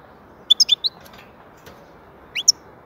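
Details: European goldfinch (saka) giving a rapid string of four high, tinkling chirps, then after a short gap two more rising notes; the setting is otherwise quiet.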